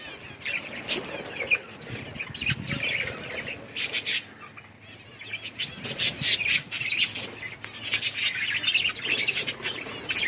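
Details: A flock of budgies enjoying winter rain keeps up busy, scratchy chirping and squawky chatter, with rapid clicking bursts throughout.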